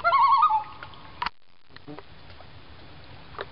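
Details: Two common loons passing along a backyard lake in Maine call back and forth; one gives a loud, quavering, wavering cry lasting under a second, followed by a few clicks and faint background murmurs.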